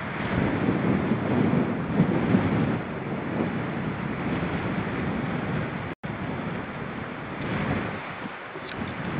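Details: Loud wind and boat-like engine rumble with rushing water continue throughout, briefly cutting out near the middle, and no animal voice is heard.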